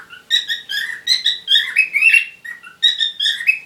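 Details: Fast warbled chatter from parrots during courtship, clipped chirps stacked with bright overtones, a rising squeal near the middle and a brief lull before more chirping.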